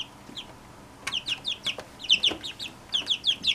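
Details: Brood of Brahma chicks from one hen: quiet at first, then clear high peeps, each a short downward-slurred note, repeated several times a second, with sharp taps.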